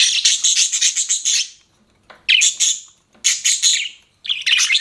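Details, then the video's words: Budgerigar chirping as a pet: four harsh, raspy chattering bursts, the first the longest at about a second and a half, separated by short silences. "BUDGIE CHIRPING SOUNDS"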